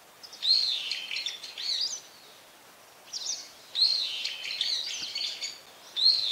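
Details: Brown-eared bulbul calling often: loud, harsh, shrill phrases with a high whistled start sliding down, around a second long, repeated in three bursts across the clip over a quiet background.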